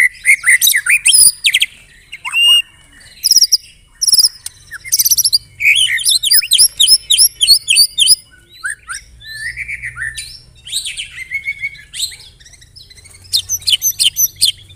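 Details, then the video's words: Continuous song of a white-rumped shama mixing in canary and cililin mimicry: dense high chirps, trills and buzzy phrases in bursts of about a second, barely pausing, with a soft low hum beneath. "MURAI BATU ISIAN KENARI, CILILIN SUPER NEMBAK"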